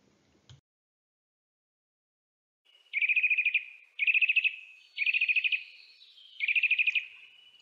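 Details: Eurasian Nuthatch giving its trilling call, heard in early spring in still-bare woods: four fast, ringing trills of rapid repeated notes, each about half a second, roughly a second apart; a faint knock precedes them.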